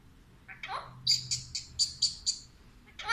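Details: Alexandrine parakeet kept as a talking pet that says "Mithu Aajao": a short slurred downward note, then a quick run of six sharp, buzzy high chirps, ending in another harsh burst.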